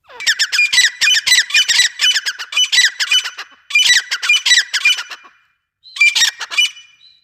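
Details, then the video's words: Grey francolin, called desi teetar, giving loud harsh calls in quick repeated series, several phrases in a row with a short pause before a final burst. "desi teetar partridge sound"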